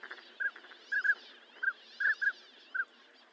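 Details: Northern pintail giving short, clear whistled notes, singly and in quick pairs, about six calls in three seconds, over a soft murmur of other waterbirds.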